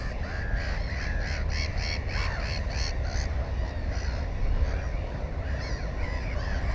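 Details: Black-headed gull at a nest with one egg and one chick, GoPro 4, 15 May 2016; a quick series of rasping harmonic calls in the first three seconds, fainter cries afterwards, low background rumble throughout.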